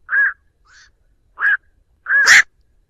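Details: Night heron (black-crowned) calling the flock, a noise-free lure sound: four nasal, croaking barks, with a faint softer note between the first two and a long raspy call closing the sequence.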